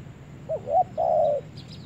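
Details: A single spotted dove phrase on its first forest visit: two quick soft coos then a longer sustained hollow coo, with a faint high chirp from another bird at the end.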